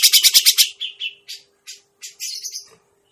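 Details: Lure recording of a grey-cheeked bulbul for trapping birds. About six fast, harsh chattering notes open, followed by scattered shorter rasping calls and a buzzy final phrase, with a constant low hum beneath.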